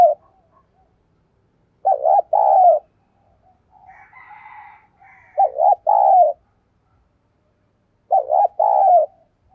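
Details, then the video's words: Spotted dove kept as a decoy, cooing to draw in wild birds: three deep, two-part coo phrases roughly every three seconds, each a quick wobbling note and a longer hum, with a faint, higher, softer call between them. "Tiếng Chim Cu Gáy Thúc Gù, Và Gáy Gọi \ Giọng Sát Bổi"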